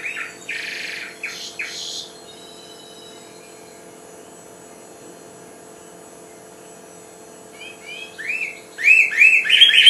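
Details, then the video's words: Goldfinch hybrid aged four months in its first song: short buzzy twitters, then a long silence, then a fresh run of sharp, rising chirps that grows louder toward the end. "Mixto jilguero, 2009 Hybride de chardonneret"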